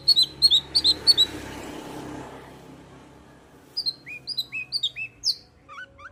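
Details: Long-tailed shrike song used as a lure to provoke a quiet caged shrike into singing; bursts of sharp high chirps early, then after a pause a series of short whistled rising and falling notes.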